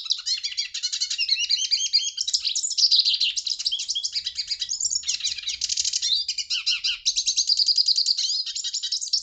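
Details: Continuous song of a Hooded siskin: rapid high twitters, buzzy rattles and short whistled slurs strung together with no breaks, the phrases shifting in pattern every second or two.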